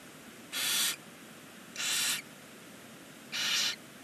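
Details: Barn owl chick on its first day in a nest box mounted on a chimney beside a stork nest in Ságvár, Hungary; three harsh, hissing broadband wheezes, each about a third of a second, roughly every 1.4 seconds.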